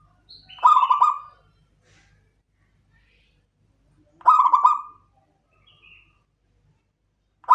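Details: Local Klowongan perkutut, a zebra dove, uttering brief pulsed coos spaced about three and a half seconds apart, each a quick throaty burst, with a faint high chirp between.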